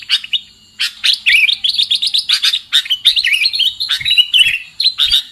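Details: Sooty-headed bulbul lure call for catching birds: a quiet start, then lively, tumbling chirps and slurred whistles in quick succession.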